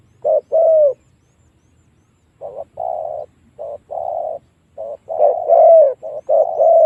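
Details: Spotted dove cooing to lure wild doves into a fight. A pair of coos, a short pause, then a run of paired short and long coos, with the later ones louder. A low hum runs underneath.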